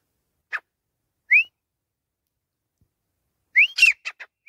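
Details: Grey francolin (teetar) voice: a lone short note, a single rising whistle, then after a gap a rising whistle burst with a cluster of quick harsh notes.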